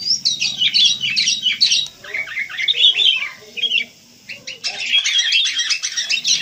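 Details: Lively chatter from wild sooty-headed bulbuls: rapid bubbly twittering, then a near-silent pause of about a second, then another dense burst of high chirps.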